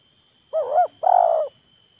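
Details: Spotted dove exchanging coos with a decoy bird, a wild bird and a lure showing off their voices, taunting and luring each other: two quick rising-falling coo notes, then a longer, even, purring coo, all low and mellow.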